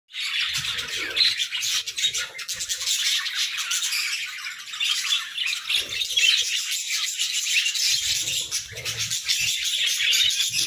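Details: Budgerigars singing in the morning, a dense flock chatter of warbling, chirping and squawking notes high in pitch, continuous with no pauses, several birds overlapping throughout.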